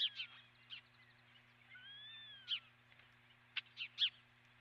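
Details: Osprey calling at the nest, picked up by a nest camera: scattered sharp chirps, a long arched whistle in the middle and a closing series of abrupt chirps, over persistent low hum.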